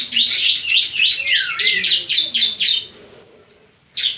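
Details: Javan sunbird (ciblek) delivering a loud, fast run of high, bright sweeping notes, about four per second, with one dipping whistle, then a short silence and a final sharp chirp.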